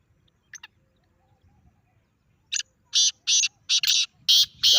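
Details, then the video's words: A pet grey francolin hears a francolin call meant to provoke it. After a short chirp, six loud, grating, rasping notes follow in an even, rapid series over the last two seconds. "اپنے تیتر کو یہ آواز سناؤ 😱 تیتر کا زبردست ردعمل دیکھیں | Teetar Call"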